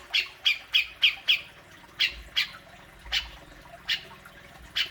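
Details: Grey-cheeked bulbul besetan, a fierce call meant to provoke a kept bird: a quick run of five harsh squawks, then slower, widely spaced single rasping notes trailing off over five seconds.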